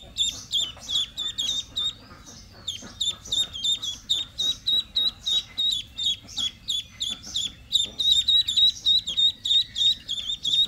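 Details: Young domestic ducks calling steadily with sharp, high piping notes, roughly three per second. The peeps overlap in an excited, continuous chorus with a short quieter stretch near the start.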